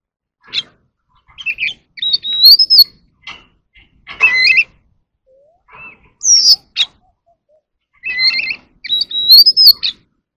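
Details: Oriental magpie-robin in a song duel: varied phrases of sweet rising whistles alternating with scratchy chatters and single chips, repeated through the passage with short pauses.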